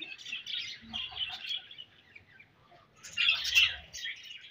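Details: Budgerigar chirping in two bright bursts of high, scratchy warbled notes, the first bout about a second and a half long and the second, louder one after a short pause near the three-second mark.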